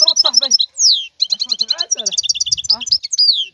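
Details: Wild goldfinch song, a lively tumble of high chirps, nasal twitters and descending whistles, interspersed with scratchy lower notes and brief gaps.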